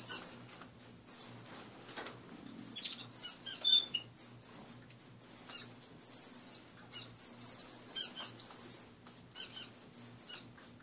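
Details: A busy chorus of caged finches in the morning: dense high chirps and twittering, overlapping rapid trills, near-continuous with brief breaks, against a faint steady low hum in a home setting.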